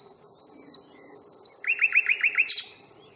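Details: On a 1 May reserve stroll at Fingringhoe, a nightingale gives two long, pure, level whistles. A run of five or six loud, rising, looping notes follows, ending in a sharp burst. Recorded with a Panasonic Lumix FZ82.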